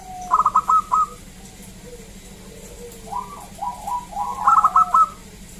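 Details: Gacor local zebra dove from the wild, played to draw replies: a quick burst of clipped cooing notes, a quieter stretch of softer notes, then another rapid stuttered burst.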